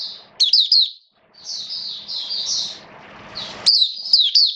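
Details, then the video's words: Caged mata puteh, or Oriental white-eye, recorded 29 September 2022 during wet rainy weather, gives sharp high twittering notes, then a softer warbled stretch, then resumes quick chirpy notes. "Mata Puteh Buka Sing Raja"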